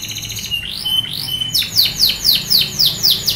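A Yorkshire canary sings: a few rising whistled sweeps, then a quick run of bright slurred notes, about four a second, over a faint low hum.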